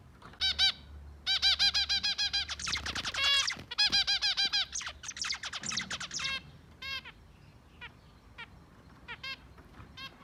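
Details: Zebra finches sing while eating and cleaning, pouring out rapid strings of nasal, buzzy harmonic notes in tight clusters, then thinning to scattered single beeps toward the end.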